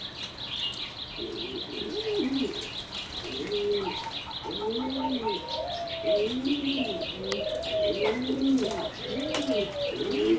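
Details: Several competition-bred singing zebra doves in a flight cage deliver low curved coos in rolling, overlapping phrases, while a rapid high chirping of small birds continues throughout and a short whistled note series appears midway.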